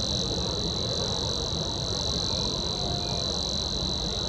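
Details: Savi's warbler (Locustella luscinioides), Upper Silesia, April 2023, reels without a break: a fast, even, insect-like buzz held on one fairly low pitch, over a low rumble of wind or distant noise.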